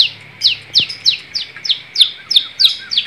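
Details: Long-tailed shrike singing energetically in Indonesian gacor style: a rapid series of high, sharply downward-sweeping whistled notes, about three per second, somewhat irregularly spaced, with a single low thump near the start.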